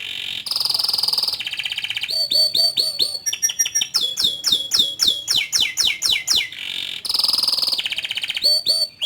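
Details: Canary in long, lively song: buzzy rolling trills and rapid pulsed tours alternate with runs of clear, repeated downslurred whistles, ending in another buzzy roll.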